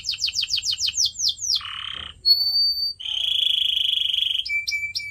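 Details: Pet canary training recording: a fast sequence of descending whistled notes, a buzzy rasp, a pure high whistle, then a long rattling trill ending in short sharp notes.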